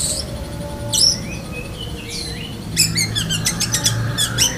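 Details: Black-breasted Oriental magpie-robin mimicking a lovebird: a sharp high squeal, thin sliding whistles, a rising slur, then a rapid burst of repeated shrill chattering notes, all over a low background hum.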